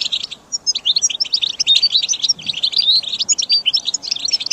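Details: Training recording of goldfinch song for caged birds: after a short quiet start, rapid, clear twittering with liquid whistles and short buzzy notes runs almost continuously.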